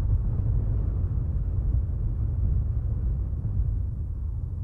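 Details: Steady low rumble of vehicle or wind noise throughout, with no animal calls.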